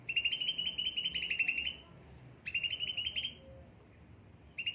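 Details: Cucak ranting, a carefully tended pet, gives two fast rattling trills, each lasting under two seconds and rising slightly, with a gap of quiet between them.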